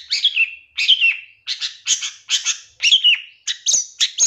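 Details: Master-recording song of a long-tailed shrike for training caged birds: a series of bright, descending slurred whistles and buzzy bursts, each phrase about half a second long, repeated with short gaps.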